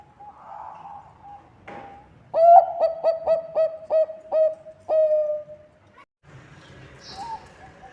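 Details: Bangkok zebra dove in strong song, used as a lure to get other birds singing: after soft murmuring and a thud, about eight crisp, evenly spaced coos end in a long, fading note, followed by faint background noise.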